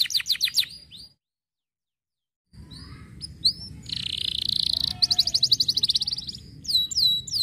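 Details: Canary song used to stimulate other canaries to sing: fast rattling trills and sharp repeated chirps, a long buzzy trill in the middle, a silent gap near the start, then rising whistled notes at the end.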